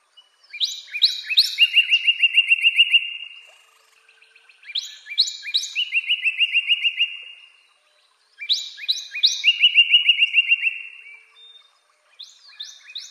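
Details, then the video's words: Northern Cardinal (Cardinalis cardinalis) sings three clear phrases, each a few loud slurred whistles running into a fast, even trill of a dozen notes, repeated about every four seconds. "Northern Cardinal (Cardinalis cardinalis) Calling"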